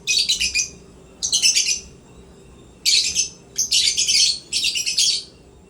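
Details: African lovebirds in a happy mood at playtime give shrill, harsh chattering bursts: five rasping screeches about half a second each, spaced unevenly over a few seconds, with a quiet room behind.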